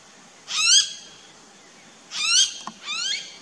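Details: A Blue-faced Honeyeater in an Australian backyard garden gives three harsh, rising, squeaky calls, each about a third of a second long, rich in harmonics, with quiet gaps between.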